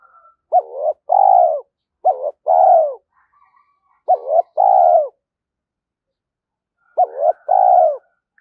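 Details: Spotted dove giving the thổ pha thúc call style used to lure wild doves: three low cooing phrases, each a short hooked note followed by a longer, warbling, falling coo, with quiet gaps between.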